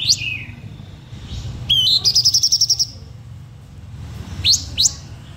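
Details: Blue-winged minla singing a luring song to draw in other birds: a slurred descending whistle, then a rapid run of about ten bright repeated notes, then two sharp rising upsweeps.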